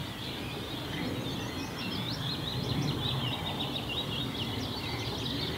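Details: Many sand martins chatter at a busy nesting bank in Kattenbergse Broek, Landgoed de Baest: a steady stream of dry, rasping twitters over a low rumble of wind or distant traffic.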